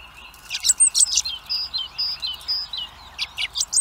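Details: In Recke, Germany, hungry young blackbirds beg with a steady stream of high thin whistles and sharp chips, about three or four notes a second, loud and insistent over faint constant hiss.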